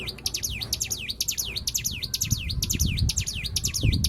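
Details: White-eye singing as a lure to prompt other birds to sing: high, fast swooping notes, each sliding down then up, repeated about twice a second without pause, over a low rumbling background.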